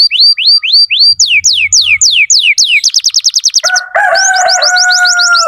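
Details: Tutor canary in full song for young birds to learn from: repeated upslurred whistles, then a faster trill, then a rich two-toned rolling trill with a thin high trill above it.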